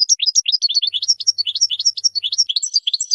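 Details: Song of a European goldfinch, played to train young birds, with continuous liquid twittering and rapid tinkling notes that jump up and down, unbroken for three seconds.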